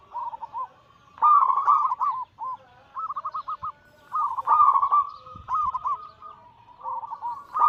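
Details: Zebra dove (perkutut) anggungan cooing meant for luring and stimulating doves: a sequence of stuttered, pulsing coo phrases, some loud and some softer as if from different birds, repeated without long breaks.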